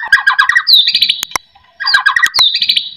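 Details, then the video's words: White-rumped shama song played to prompt other shamas to sing: a dense chattering burst that slides into high, rapid trilled notes. The phrase comes twice with a short silence between. "AMPUH buat pancingan murai"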